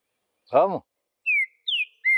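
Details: Green-winged saltator in the bush giving three clear, loud whistles, one falling, one rising and dropping, one level, after a brief low harmonic voice-like sound.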